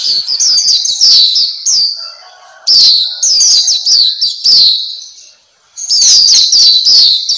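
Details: Pleci Papua, the black-capped white-eye, singing for a masteran tutoring recording for kept birds: shrill rapid chattering twitters in bursts, a quiet gap near the middle, then a renewed bright run.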